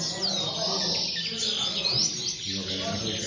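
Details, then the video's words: A short burst of common linnet song with bright, arching whistled notes and fast twitters, over a faint low hum. "corona pardillos"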